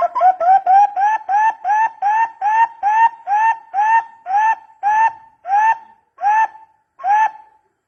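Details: Barbet calling for use as a lure, a long series of about fourteen upward-sweeping hollow notes that start fast and gradually slow and spread apart.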